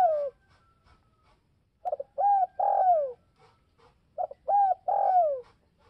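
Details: Spotted dove calling to provoke other doves: low, hollow coos in a repeated phrase, two or three short stuttered notes then a longer drawn-out coo sliding downward, the phrase given twice with quiet pauses between.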